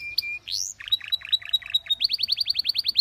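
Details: Belgian canary singing for canary training: a thin whistle, a rising slur, choppy warbled notes, then a rapid series of sharp repeated chirps.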